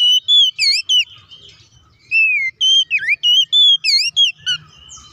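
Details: Oriental magpie-robin singing loudly in fighting style to provoke rival magpie-robins. Rapid runs of ringing whistles and looping, dipping notes are separated by brief pauses, with varied phrases repeated about three times a second.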